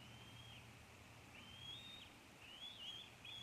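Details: Eagle fledgling, a female, calling from near a Maine nest at 4 pm on July 9, 2014, while an adult feeds on a squirrel in the nest; faint, thin whistled notes, each slurring upward into a drawn-out tone, over steady low background hum.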